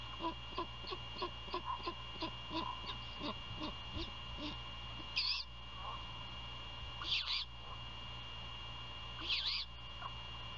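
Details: Great horned owls at a nest near Savannah, Georgia, at night on 27 February 2022, during a prey handover outside the nest; rapid dry ticking and shuffling noises, then three short hissing rasps about two seconds apart, over a steady hum.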